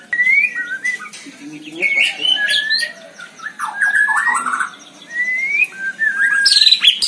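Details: A caged White-rumped shama in full energetic song, mixing clear rising whistles with harsh, scratchy bursts in phrases separated by short pauses, with a sharp high flourish at the end.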